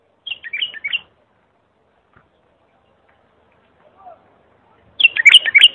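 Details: Bulbul giving clear song, offered as a model for young bulbuls learning to sing: two quick warbled phrases of bright, rapidly alternating high and lower notes, separated by a long quiet gap with a faint chirp.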